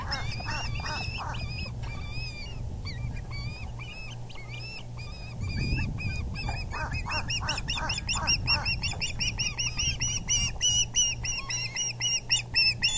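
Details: As the male osprey delivers a big fish to the VGCC nest at 6:30pm EDT on April 6, 2020, sharp whistled cheeps come in long, fast runs. They grow denser and louder toward the end, over low background rumble.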